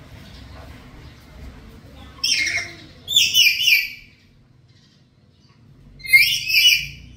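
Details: Black-capped lory calling at home, a vocal bird taped as a training lure: three loud rasping screeches in two bursts, the first pair close together and the last after a three-second gap, over a low background hum.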